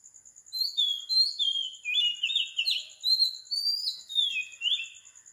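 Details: At 4 am in Sri Lanka an Oriental magpie-robin sings varied whistles, each phrase gliding down from a high note, delivered about once a second. A thin, fast-pulsing high tone persists underneath.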